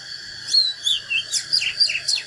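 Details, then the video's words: Oriental magpie-robin in natural fighting song, meant to fire up rivals: bright whistled phrases, a falling slur, then a brisk series of rising and dipping notes about every fifth of a second over background hiss. "KÍCH LỬA chòe than || Chích chòe than HÓT ĐẤU CHIM TỰ NHIÊN"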